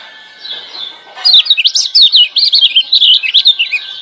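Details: Wild Lemon-bellied white-eye from Lombok, a master song meant to get reluctant birds singing: soft background chatter, then a fast, rolling series of high, wavering twittered notes for about three seconds.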